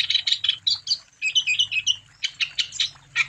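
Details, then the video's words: Short burst of wambi song aimed at stimulating other wambi birds: high ringing chirps, a run of sweet whistled slurred notes, then sharper rasping calls in quick succession. "Burung Wambi Gacor Untuk Umpan Supaya Wambi Anda Tambah Gacor"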